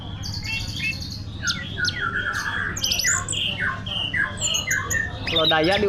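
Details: Caged Orange-headed thrush from Tasikmalaya, Indonesia, a frequent first-place contest winner, singing rich slurred whistles and downward-sliding notes in quick succession, ending in a loud jumbled burst, with a man's encouraging voice and background hum.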